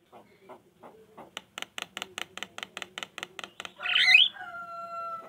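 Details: Javan myna song used to provoke other mynas to answer: soft low notes, then a steady series of about a dozen sharp clicking notes, ending in a loud harsh squawk trailing into a drawn tone.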